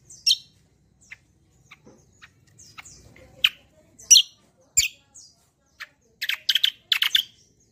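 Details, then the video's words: Kecial kombo song used as a lure for other birds: sparse, sharp high chirps and squeaky notes at irregular intervals, ending in a quick cluster of harsh, buzzy chattering notes. "BURUNG KECIAL KOMBO CUCAK KOMBO ROLL TEMBAK GACOR || UNTUK PANCINGAN BUNYI BURUNG"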